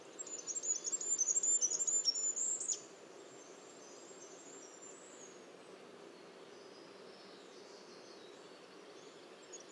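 A Goldcrest gives a very high, thin, rapidly repeated see-saw phrase for under three seconds, ending in a brief flourish, then only faint background hiss.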